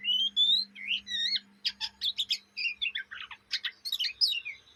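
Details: Young Oriental magpie-robin from Indonesia in ngriwik chattering song, sung day and night: a rising whistled opening, then rapid varied chirps, trills and sharp notes in dense bursts, over a steady low electrical hum.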